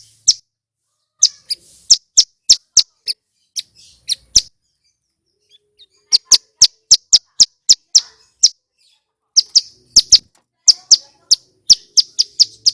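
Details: Male Bar-winged prinia (prenjak gunung) in loud, clear song used to trigger wild-caught birds into singing: bursts of rapid, sharp, high chips, several to a second, broken by pauses of one to two seconds.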